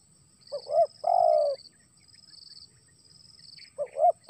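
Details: Spotted dove calling as rain begins to fall: low mellow coos, a quick two-note stutter then a long drawn coo, repeated after a pause, over a steady high insect buzz.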